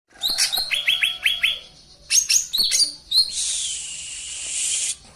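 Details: Songbird used as a master recording for training cage birds: a quick run of five high, downslurred chirps, a few sharp clipped notes, then a long, harsh, hissing buzz lasting nearly two seconds.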